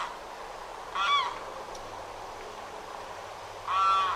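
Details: Limpkin in Florida, a year-round resident whose shrieking, crying calls rank among the state's loudest: two loud, arched, wailing cries about two and a half seconds apart over steady background hiss.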